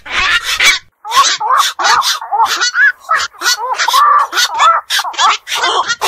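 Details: Black-crowned night herons, seen at ponds and wetlands and awake at night, give harsh grating calls in clustered bursts, a few carrying a thin whining tone.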